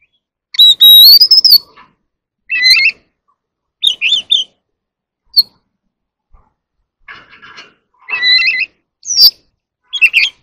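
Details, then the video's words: Oriental magpie-robin singing competitively: an opening clear whistled phrase, followed by scattered short chattering and trilled notes spaced a second or two apart, with quiet gaps between. "Chòe than hót múa quá đỉnh | chòe than hót đấu"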